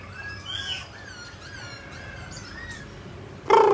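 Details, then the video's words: Mutant grey laughingthrush singing while dancing: soft, drawn-out whistled phrases that slide up and down, with a sudden loud burst at the end. "Chú chim khứu xám tro đột biến hót múa cực đẳng cấp"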